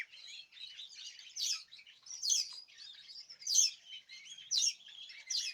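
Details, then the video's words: A chattering chorus of caged birds, recorded 2026/03/14. Soft scratchy twittering is broken by louder sharp bursts of song roughly once a second. "تغريد جماعي للطيور"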